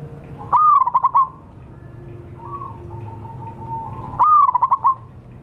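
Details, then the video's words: Zebra dove, wild local bird, calling as a lure: two loud bursts of rapid staccato trilled coos about four seconds apart, with softer level notes between and low background hum. "suara pancingan dan pikat burung perkutut liar lokal paling ampuh"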